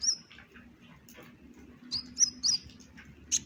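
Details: Brown-breasted kolibri ninja chirping: a few thin, very high whistled notes and brief twittering clicks spaced irregularly, over a soft low hum.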